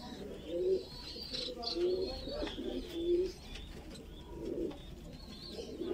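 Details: A baby fancy pigeon, described as a Voorburg Shield Cropper, begs while being fed with low, wheezy squeaks in short bursts about every second or so, with faint higher chirps and room noise behind.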